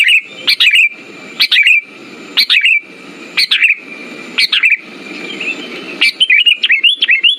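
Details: Sooty-headed bulbul song used as a lure for silent birds: short bright whistled phrases roughly once a second with gaps between, and a faster run of notes near the end over a steady faint tone.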